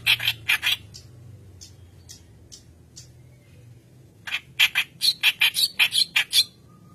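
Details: White-browed reed warbler, a lively singer used as training lure: a few harsh chattering notes, a quiet gap with faint ticks, then a rapid burst of loud, rasping, squeaky phrases.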